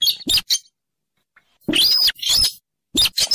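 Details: Sintaran kalung kuning, a rail of the Rallidae family, calling as a trapping lure: clipped harsh notes, a pause, then two long loud rasping squeals and a closing pair of sharp calls.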